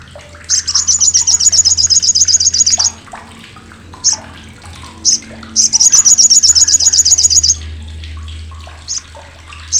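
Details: Loud, coarse, piercing crecetan of an olive-backed sunbird (sogok ontong), used to tutor contest birds such as white-rumped shama and greater green leafbird: two long fast high rattles, each over two seconds, separated by single sharp chips over a low hum.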